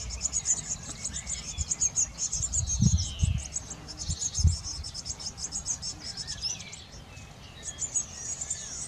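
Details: Eurasian blue tits at their nest box in a garden, tending young: steady high rapid chirping throughout, a soft lower downslurred note, and several low knocks in the middle.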